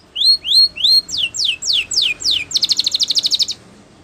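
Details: Spanish Timbrado canary singing a training song: three rising whistled notes, then repeated falling sweeps, ending in a fast metallic trill of about a dozen pulses.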